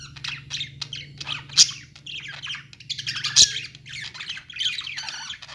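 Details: Several budgerigars calling in a pet store: rapid chirps and warbles overlap, with two sudden loud clicks or squawks standing out above a low droning hum.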